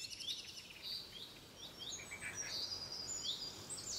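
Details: Bulbul nestlings in a home garden as the adult feeds them, recorded by phone: faint, high downward-sweeping chirps, a few per second, with steady background hiss.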